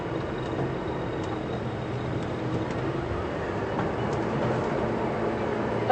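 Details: Steady low engine rumble from a game drive vehicle at Djuma Game Reserve on an afternoon safari, 8 February 2015, with no animal voices heard.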